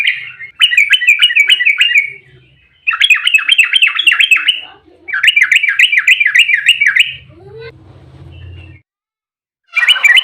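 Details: Fighting 'ropel' song of an agitated yellow-vented bulbul, used to entice other bulbuls to respond: three long bursts of rapid, evenly repeated, bubbling notes, then a brief low murmur and the start of another burst.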